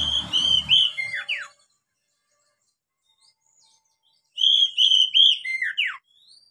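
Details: Oriental magpie-robin song for training novice captive birds: a clean phrase of clear whistles and descending slurs, silence for about three seconds, then the same phrase repeated.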